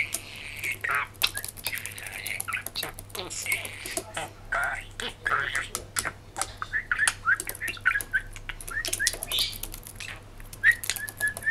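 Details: Pet male budgerigar, aged three and a half, talking excitedly to a mirror one morning after rain. It gives a long run of hurried, hard-to-follow chatter with rapid clicks, buzzy warbles and bright upslurred whistles toward the end.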